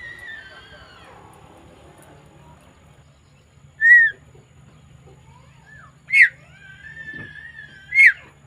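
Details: Javan myna calling on 20 May 2024: three loud, short whistled notes spaced about two seconds apart after a fading whistle at the start, with long level whistles in between and a faint low hum.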